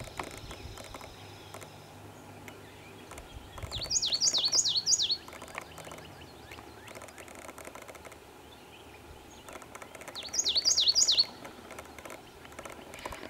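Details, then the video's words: Chestnut-sided Warbler singing an odd song, like a Common Yellowthroat in cadence but wrong in quality: two quick bursts of four or five high, slurred up-and-down notes, about six seconds apart, over steady background hiss. "Chestnut-sided Warbler (Odd Song)"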